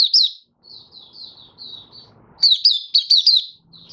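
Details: Malaysian white-eye singing in stable, warm, sunny Singapore weather, 20 March 2023. Soft, thin, high whistled notes drift along before a burst of louder, sharply falling chirps in quick succession.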